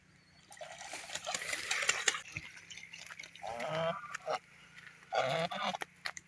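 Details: Geese calling while playing in water; nasal, harmonic honks come in short bursts amid loud splashing and rushing water noise, with a low steady hum underneath.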